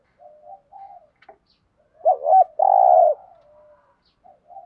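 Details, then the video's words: Spotted dove, thúc gù cooing: soft faint coos at first, then a loud wavering double note leading into a longer steady low coo, fading to quiet murmurs. "thuc gu bài bản chim cu gáy"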